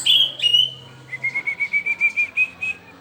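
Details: Young orange-headed thrush practising pelong: two drawn-out whistles sliding slightly downward, followed by a quick run of about a dozen short, evenly repeated whistled notes.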